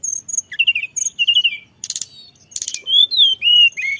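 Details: Lure recording of a Sunda robin giving a song full of fillers: paired high chips, warbled phrases, two harsh buzzy bursts, and smooth falling whistles at the close.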